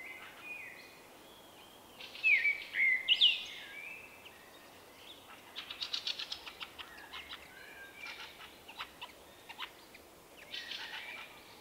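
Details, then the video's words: Common blackbird, a shy male known for a unique 'vuippi vuippi vuuu' song, recorded in March 2024: loud whistled phrase with a twitter, followed by a series of softer chirps and clicks spaced irregularly. "Vuippi-Vu the Common Blackbird"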